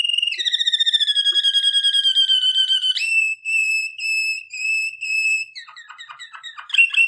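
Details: Singing Waterslager (Malinois) canary for training: a fast rattling start, a long sustained whistled tone, spaced ringing notes, then a burst of rapid choppy clicks.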